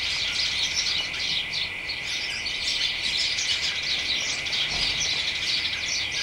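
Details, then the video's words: House sparrows and other birds chatter excitedly nonstop in a garden hedge on a late afternoon in early December, a dense overlapping jumble of chirps and cheeps over a steady high-pitched hum. "Birds chattering in hedge"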